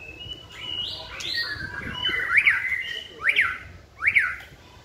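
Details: Caged white-rumped shama in a singing practice session, hung on a pole: drawn-out gliding whistles give way to three sharp, bright up-and-down notes about one second apart.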